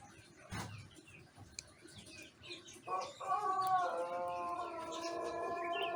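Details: After a quiet start with faint chirping of small birds, a one-month-old crowing Pelung cockerel in Indonesia starts a long, wavering, held crow in the morning, with an empty crop.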